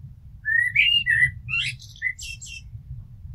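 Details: Blackbird song phrase: drawn-out mellow whistles sliding upward, then a burst of thin, high, scratchy notes at the end; steady low background hum.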